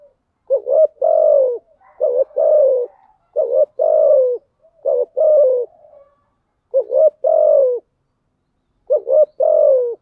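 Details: Decoy cooing of a spotted dove, female voice used to attract other doves: repeated low phrases, each a quick double note then a drawn-out slightly falling coo, five phrases with brief silent gaps, clean background.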